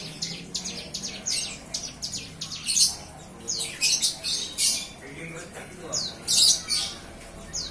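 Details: Young hand-reared bar-winged prinia starting to sing after weaning: irregular high, sharp chirps mixed with louder scratchy squeaks and a few downslurred notes, with short pauses between bursts.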